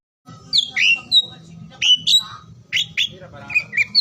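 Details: Oriental magpie-robin singing, used to stimulate silent or lazy birds; a few loud whistled slurs and sharp notes separated by short gaps, with low hum behind.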